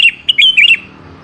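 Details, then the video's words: Brief sooty-headed bulbul phrase used to entice an answering bird: four or five fast, bubbly whistled notes tumbling up and down within under a second, quiet background. "pancingan suara burung kutilang yang jarang bunyi"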